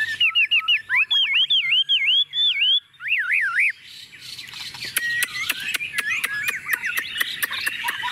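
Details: Chinese hwamei, a tame caged bird on a table singing confidently: repeated looping whistled phrases rising and falling, then softer song under a series of sharp clicks.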